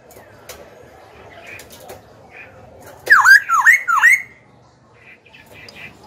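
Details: Young caged Black-throated laughingthrush, singing to provoke rival birds and train young birds: quiet soft chatter, then three loud swooping whistled notes in rapid series, followed by faint chatter.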